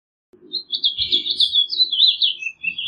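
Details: Rapid, run-together warbled phrases from a house finch, bright twittering notes tumbling up and down over a faint low rumble and a few soft thumps in the background.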